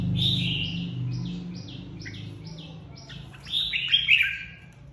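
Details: Red-whiskered bulbul flock leader in a singing contest. A quick run of short repeated slurred notes builds into a louder, richer warbled phrase, over a steady low mechanical hum.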